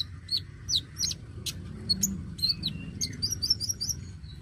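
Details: Dacok oriental magpie-robin in full, busy song, used to prompt young magpie-robins to sing: sweeping whistled slurs and sharp clicks, ending in a rapid run of rising chirps, with a low background hum.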